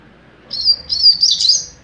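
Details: Young double-collared seedeater, captive-bred, delivering a mateiro-style phrase: a continuous high, buzzy warble of linked chirps rising slightly in intensity toward the end, with little background noise.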